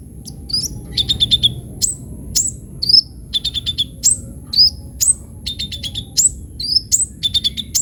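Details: Sunbird (kolibri ninja) singing energetically with varied phrases, used as lure and tutor song for other birds: high, sharp downslurred chirps mixed with quick clusters of repeated ticking notes, over a steady high electronic whine and low background rumble.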